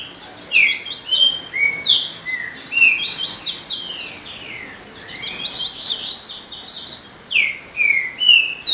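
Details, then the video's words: Double-collared seedeater singing a fast, sustained song of sweeping whistles and buzzy trills, mostly high-pitched notes rising and falling in quick sequences, phrases running almost continuously for nine seconds. "Coleiro muito fibradao"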